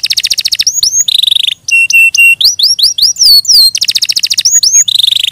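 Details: Canary song mixing fast buzzy trills with a sequence of sharp, bouncing whistled notes and quick upward and downward slurs, returning to trills at the end.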